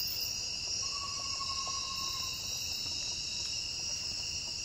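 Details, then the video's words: Amazonian pygmy-owl (Glaucidium hardyi) giving a fast, even trill at a steady pitch for about a second and a half, over a loud, constant buzz of insects. "Vocalização Glaucidium hardyi (caburé-da-Amazônia)"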